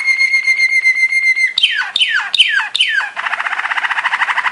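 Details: Belgian Malinois Waterslager canary training song: a long steady pure whistle, then four water-drop notes, each falling steeply, about every 0.4 seconds, followed by a fast bubbling roll.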